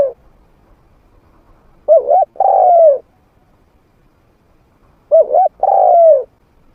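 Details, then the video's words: Decoy spotted dove, a trained bird with a mid-pitched voice, played to lure wild doves into fighting. Two coo phrases about three seconds apart, each a brief wavering double note then a longer, gently falling coo. "เสียงนกฝึก นกเขาใหญ่เสียงกลาง เปิดต่อนกป่ากล้าเข้าสู้ไม่ตื่น"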